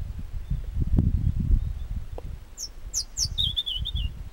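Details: European robin singing beside a trail from Chamorga in Anaga, Tenerife: a short high phrase of thin descending whistles followed by a wavering warble, over heavy low rumbling wind noise.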